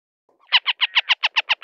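Northern Harrier giving a quick, harsh chatter of nine nasal 'kek' notes, about seven per second, steady in pitch; no other sounds.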